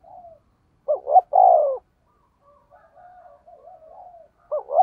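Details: Decoy spotted dove cooing 'thúc gù' with a deep 'thổ' voice: a double note and long falling coo, a stretch of soft wavering murmurs, then the double note starting again.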